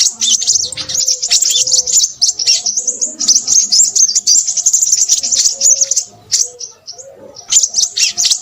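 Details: Crimson sunbird singing busily. Fast, shrill chips and trills pour out in long runs, with a short quieter gap near the end. Soft lower tones murmur in the background.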